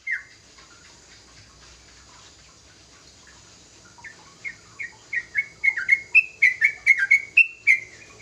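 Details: Young sooty-headed bulbul singing actively in its developing rapid song: after a quiet start, a run of short, clear, downslurred whistled notes repeats about four times a second, growing louder and slightly higher toward the end.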